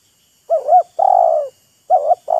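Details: Wild spotted dove and a caged decoy bird trading calls, showing off, teasing and coaxing each other: mellow two-part coos, a wavering double note then a longer steady hoot, repeated, in a quiet setting.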